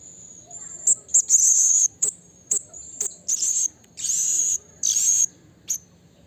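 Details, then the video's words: Blue-crowned hanging parrot calling a rival in the wild, mixing brief shrill high notes with long rasping, buzzy chatter bursts, some nearly a second long, in a busy, uneven sequence. "Suara Burung Serindit Memanggil Lawan Alam Liar"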